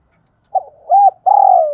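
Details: Decoy spotted dove giving a calling coo: a short note, a rounded hooting coo, then a long, slightly falling, rough coo. The recording is otherwise quiet.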